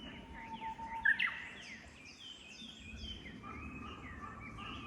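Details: Japanese bush warbler singing in forest at Oyamada Ryokuchi, Tokyo, in late April 2022 during rain. A long, steady whistle is followed by quick rising notes. Other small birds give downslurred whistles over a soft background of rain.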